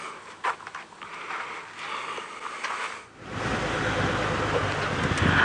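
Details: A safari vehicle's engine idles and then revs into a louder, broad rumble during a sunset drive, with no clear animal calls.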